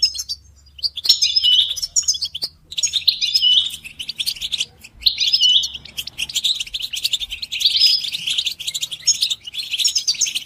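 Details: European goldfinch stimulation recording of collective twittering, mating and readiness calls meant to make caged males sing; dense high tinkling chatter in bursts, with a short pause near two seconds and another near five.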